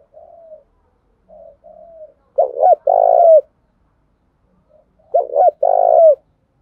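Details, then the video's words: Decoy spotted dove cooing to provoke wild doves into answering: faint soft coos at first, then two loud low phrases about three seconds apart, each clipped notes followed by one long hoarse coo. "tieng chim cu mồi thuc boi căng lửa, bổi nghe gáy theo và rất nhanh nổi"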